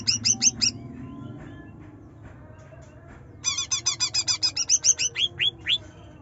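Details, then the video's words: Greater green leafbird, juvenile in transitional plumage, singing shrill rapid 'nyerecet' phrases as a lure for a silent bird: four quick high notes, a pause of about three seconds, then a dense string of sharp swept notes slowing toward the end, with faint background hum. "Cucak Ijo Trotol Gacor Nyerecet Nembak || Pancingan Cucak Ijo Malas Bunyi"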